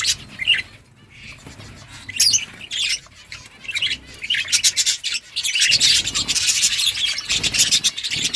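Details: Breeding colony of budgies chattering: scattered short squawks early, then from about six seconds a loud, unbroken wall of rapid high chirps and warbles from many birds at once.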